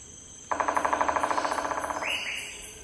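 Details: Andaman Woodpecker on the Andaman and Nicobar Islands, India, giving a loud, rapid rattling series of about twenty harsh notes over a second and a half, then two brief rising squeaky notes; faint insects in the background.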